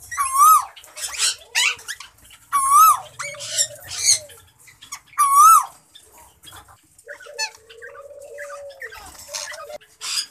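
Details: Bonded breeding pair of plum-headed parakeets giving loud, harsh, wavering squawks with a quick rising-falling twist, in bursts about every two to three seconds, then quieter chatter, with soft low cooing from other birds underneath.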